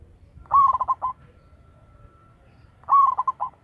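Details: Zebra dove of local stock, strong-voiced and kept as a lure, cooing twice about two and a half seconds apart; each phrase a drawn-out note followed by three or four rapid rolling pulses, background otherwise calm.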